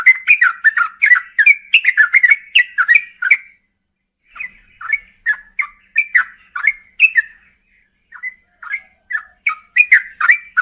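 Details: Long rapid calling by a female yellow-vented bulbul summoning the male at night: continuous, jerky bubbly notes repeated several times a second, with one short pause midway.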